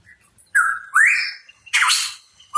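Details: Hooded pitohui, the cucak rawa papua, singing energetically: a short level whistle, then a long rising buzzy slur, then a harsh broadband burst, with faint soft notes before.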